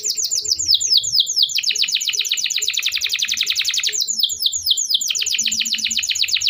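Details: Canary song used to stimulate silent canaries: nonstop rapid descending chips and dense buzzy trills alternating in rolling phrases, with faint low thumps in the background.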